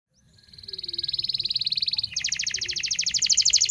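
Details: Local canary, song for training young canaries: a steady rapid trill swelling in loudness, switching midway to a higher, harsher pulsed trill.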